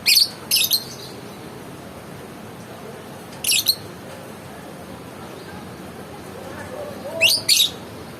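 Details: Lovebird giving sparse shrill chirps: a double burst at the start, one brief chirp midway and a final quick pair, with long quiet gaps between.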